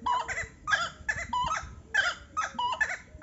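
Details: Probable pair of buff-necked ibises calling in bursts of harsh, nasal, harmonic notes, roughly every half second, with short gaps between phrases and a faint low background hum.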